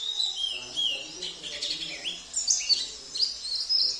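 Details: Sambas oriental white-eye song loaded with borrowed canary, cililin, kapas tembak and jenggot phrases, delivered as a continuous high chattering warble with sharp, rising whistled notes toward the end.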